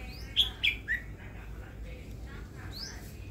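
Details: Caged red-whiskered bulbul, a new pet kept for its voice, gives a quick burst of three bright whistled notes, each sliding downward, then a faint high upslurred note later. Low background hum throughout.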